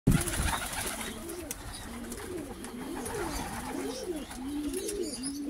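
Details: A Pomeranian pouter pigeon, hatched in 2023, gives a low, continuous, wavering coo that rises and falls roughly once a second, over faint indoor background noise.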